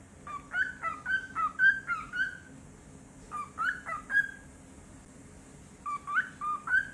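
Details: A pet cockatiel guarding its toys gives a run of short, rising whistled chirps, then a brief pause before two more quick bursts, in a quiet room.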